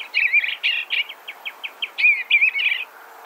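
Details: Eastern Bluebird singing soft warbled phrases in the mid-high range, a burbling opening phrase, then a run of six short evenly spaced notes, closing with a slurred, rising-and-falling warble; quiet background.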